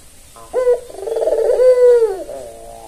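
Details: Single coo from a tame white albino Barbary dove with red eyes, kept as a lure for doves that call little: a brief rising note, then a long tremulous rolling purr.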